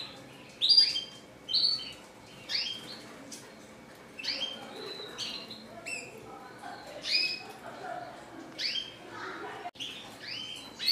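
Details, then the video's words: Red siskin in classic style, described as chattering nonstop, giving spaced high chirps and short upslurred twitters separated by brief pauses, with faint low background hiss. "RED SISKIN CLASICC MEWAH GACOR 24 JAM"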